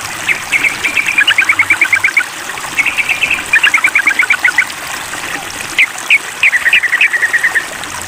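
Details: Calling at a rival during a mental test, a sooty-headed bulbul delivers dense, lively chattering trains of quick notes, with a few louder upswept calls near the end, over constant water-like rushing noise.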